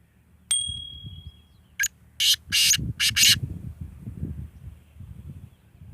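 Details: Grey francolin (Ortygornis pondicerianus), a kept bird in Sindh, gives a thin high whistle, then a burst of harsh, loud, ringing notes in quick succession over a low background rumble.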